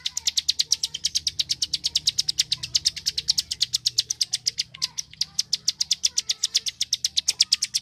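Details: Continuous rapid clicking of a bar-winged prinia, locally called prenjak klik, intended to train competition songbirds; crisp evenly paced ticks fill the whole stretch.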